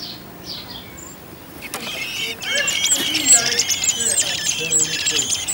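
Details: Garden blackbirds on Whit Monday, a family whose second brood of four young is about to fledge; quiet opening, then from two seconds a dense run of sharp, high chirps repeated several times a second.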